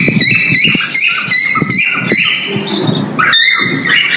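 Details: Male cockatiel whistling a mating call during breeding: short harmonic whistled notes in quick bursts, some rising, others flat, over a low rumbling background.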